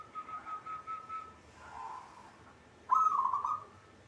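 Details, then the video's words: Caged local zebra dove from Indonesia singing: a string of quick, even pulsed coos, a soft lower murmur, then a loud, rough, burry note that holds for half a second. "hitungan detik perkutut cepat bunyi atau gacor"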